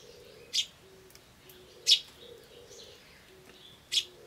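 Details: Feebly chirping Eurasian tree sparrow chick, recorded 21 May 2013 with a turtledove calling nearby: three short, sharp high chirps about 1.5 seconds apart, over repeated soft low coos and faint hiss.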